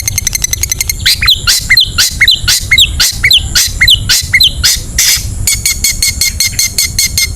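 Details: Long-tailed shrike in ngetet singing style, used as a lure to spur sluggish shrikes into song: a run of rapid dry ticks, then a series of sharp downslurred whistled notes about twice per second, ending in renewed ticking.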